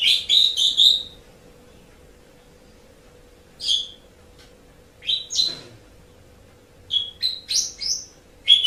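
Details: Asian pied starling song for training pet birds: a rapid chattering phrase, then scattered short whistles and squeaky notes after a long pause, ending in a dense burst of chatter, with a low steady hum.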